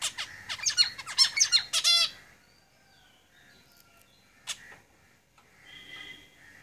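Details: Zebra finches in a cage give a burst of quick, nasal, stacked notes for about two seconds, then it goes mostly quiet apart from one sharp note and soft tones near the end.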